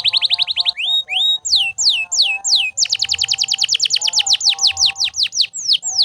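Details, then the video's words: Canary singing nonstop to train other birds, mixing quick chattering notes, looping slurred whistles and a long rapid trill of downward notes. A softer low-pitched tonal sound continues beneath the song. "Canto de Canário Gritando Sem Parar"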